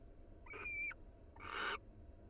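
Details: A wild barn owl pair cuddling inside their nest box gives two short calls. First comes a thin, tonal, slightly wavering note of about 0.4 seconds, then a harsher, hissing, broadband screech. A low steady hum underlies both.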